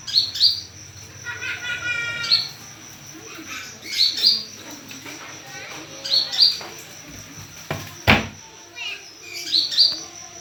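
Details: Olive-backed sunbird lure call meant to draw a response: sharp high chirps in quick pairs, repeated in bursts about every two seconds, with a steady high whine behind, some low harmonic chatter early and a loud click near the end.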